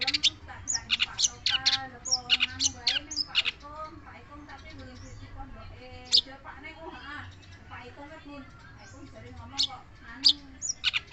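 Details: Long-tailed shrike delivering energetic scratchy chatter and rapid chips for about four seconds, then sparser single sharp notes, with a low hum and soft wavering tones running underneath.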